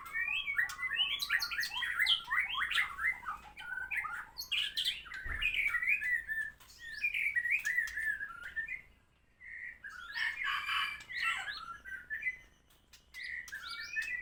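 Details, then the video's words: White-rumped shama singing energetically after moulting: long bursts of rapid chattering whistles and harsh notes, with short pauses and one sharp thump partway through. "Murai Gacor setelah mabung"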